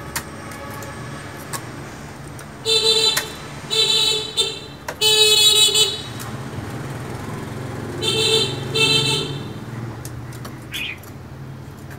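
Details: Several blasts of a car horn, each about a second long, sound over a steady low rumble of road traffic.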